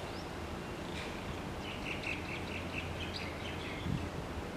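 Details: Common waxbills in a group feeding in grass in Hawaii: a run of quick, high, clipped chirps repeated several times a second, faint against constant low rumbling background noise.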